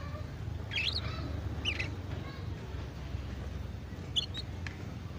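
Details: Young canary learning to sing, practising the soft twittering called ngeriwik: three short, high, twittering bursts spaced over several seconds with quiet gaps, against a steady low hum.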